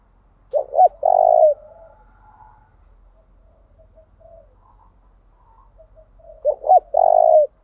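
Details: Decoy spotted dove cooing to provoke wild birds into calling, switching song patterns continuously: two loud low mellow coo phrases, each a short double note followed by a longer sustained coo, separated by a quiet gap of faint softer notes.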